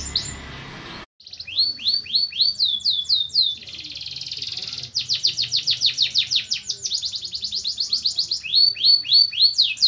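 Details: Canary singing after a short burst of background noise and a brief silence: repeated rising slurred notes, a buzzy stretch, then long fast trills of falling syllables.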